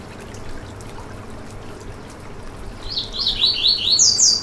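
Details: Singing Yellow-bellied seedeater, called coleiro baiano, in a recording meant to fire up a caged bird: a few seconds of near silence, then a rapid, rising string of bright, high, twisting notes that grows louder.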